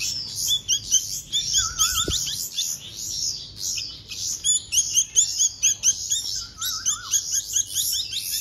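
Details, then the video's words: Hand-fed bulbul chicks give shrill, raspy begging chirps, roughly two a second, with a wavering whistled trill twice and a single knock early on. "Hand Feeding Baby Birds - Bulbul Birds"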